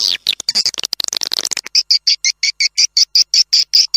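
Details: Swiftlet lure sound played to draw birds into nest houses, opening with a dense, scratchy chatter of overlapping chirps, then settling into evenly spaced, high, clipped chirps about three per second.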